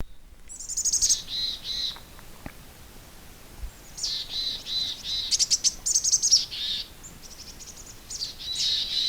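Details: Mountain chickadee (Poecile gambeli) giving its 'chickadee-zee-zee' call: thin opening notes, then bursts of harsh, zippy buzzing zee notes slipping lower in pitch.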